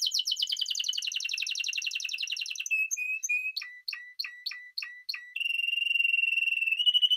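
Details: A Spanish timbrado canary delivers a rapid rolling trill, then short whistled notes, then spaced clicking notes, and ends with a long, even, steady rattle.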